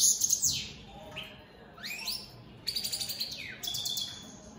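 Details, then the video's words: Opal split satiné goldfinches sing bursts of high chatter separated by rising and falling slurred whistles, followed by a fast, evenly pulsed trill and more twittering. "Opal split Satane goldfinches siging"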